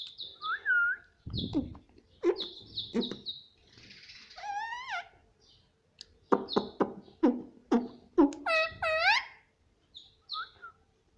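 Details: Indian ringneck parrot kept as a pet, talking indoors and repeating "mummy": a jumble of sharp clicks, brief squeaky whistles and several bright, harmonic, speech-like phrases, some rising and falling quickly.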